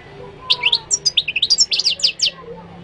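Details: Moroccan goldfinch in full song: a continuous, rapid stream of high, liquid twittering and tinkling notes, varied in pitch, with a faint low hum behind.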